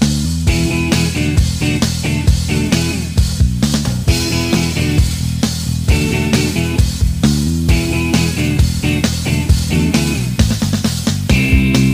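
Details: Only band music is heard, with guitars, bass and a steady beat, and no animal voice.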